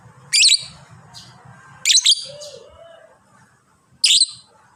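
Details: Pet fighter lovebird giving its prized long chatter: three harsh, high, bursting squeaky notes about every two seconds, with a low whistle in between and faint background noise.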